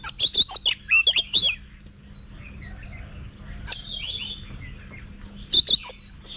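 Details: Oriental magpie-robin, a cage bird being trained for contest singing: quick bursts of high whistled and chattering notes at the start and end, quieter warbling between, steady low hum behind.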